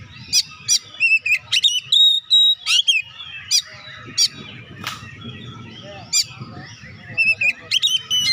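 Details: Oriental magpie-robin singing vigorously, used to stimulate lazy birds to sing; sharp high whistles, chirps and sweeping notes in quick irregular bursts, with a low rumbling background hum.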